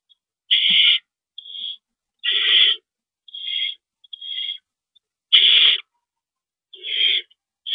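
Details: Owl calling during a rodent delivery on March 28, 2012, at 9:01 PM: harsh, hissing screeches, each about half a second long, repeated eight times at irregular intervals with a few quieter, shorter rasps between them; nothing else heard.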